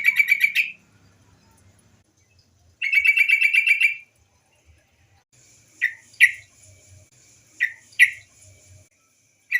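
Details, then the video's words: Female white-browed bulbul giving its call, used as a lure for other bulbuls; two quick rattling chatters followed by several short, sharp separate chips. "suara TRUCUKAN BETINA sebagai pancingan burung trucuk bahan agar cepat bunyi gacor"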